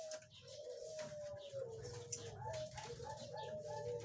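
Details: Zebra doves at a breeding farm holding birds of different ages, recorded 3 July 2019; smooth, drawn-out cooing phrases that slide slightly downward and repeat, over a steady low hum with one sharp click.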